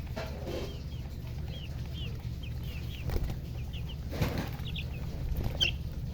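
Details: Chicken chirping with murgi hen and colour chicken: scattered high curved peeps in short runs, interrupted by soft thumps and brief fluttering bursts, over a low humming background.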